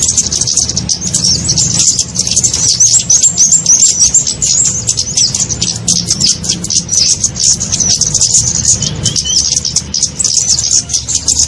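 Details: Kemade lure call used to attract small birds for trapping: dense, very high thin chirps and twittering trills running almost without pause, with a low rumble underneath.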